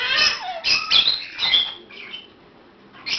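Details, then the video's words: Baby African grey parrots playing in a playpen give harsh, broadband squawks and chattering bursts in quick succession. Some carry whistled tonal streaks. They fade to softer chatter before one last squawk. "Baby African Grey Playing"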